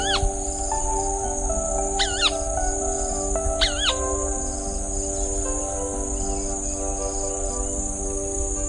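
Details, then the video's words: White-browed crake (Porzana cinerea) gives three short, nasal, wavering harmonic notes about two seconds apart over a steady droning hum; the species lives in reservoirs, swamps and rice fields. "Suara Tikusan Alis Putih"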